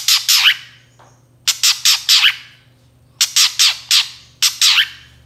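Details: Long-tailed shrike lure sound meant to provoke other shrikes into replying: three bursts of three or four grating, rasping notes each, the bursts separated by pauses of about a second, over a faint low hum.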